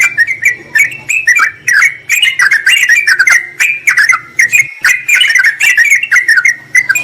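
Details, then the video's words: Yellow-vented bulbul calling a rival, used to lure wild birds: a continuous run of bubbly, warbled phrases and quick chirps rising and falling, with a low hum underneath. "Trucukan memanggil lawan"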